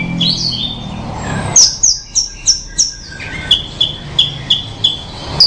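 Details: Horsfield's bushlark (branjangan) in melodious song: after a warbled opening, a steady series of sharp down-slurred high notes, roughly three per second, against a faint low rumble.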